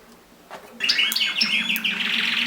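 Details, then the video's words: Mosaic canaries during mating: after a quiet start, a bright burst of high twittering begins, with fast trills and short whistled notes running on to the end over a faint low hum. "تزاوج طيور الكناري المزييك"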